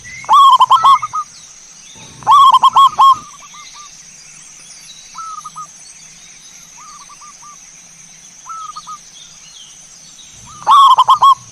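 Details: Zebra dove cooing used as a lure to get birds singing. Two loud bursts of rapid rolling coos early on, then soft, distant cooing phrases spaced a few seconds apart, and a final loud burst. A constant high hiss runs behind.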